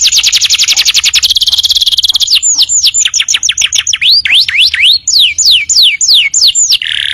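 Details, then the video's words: Canary singing as tutor audio for training birds: an even, fast buzzy trill of repeated notes, then rising hooked whistles and a series of clear downward slurs, ending in a brief low buzz. "audio masteran kenari paling ampuh untuk masteran burung bahan"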